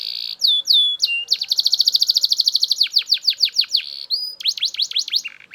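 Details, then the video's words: Belgian canary singing loudly: clear whistled notes and downward sweeps, then a long rapid trill of repeated notes, followed by slower repeated descending buzzy strokes and a final quick series of sweeping notes. "Super Loud Belgian Canary Singing"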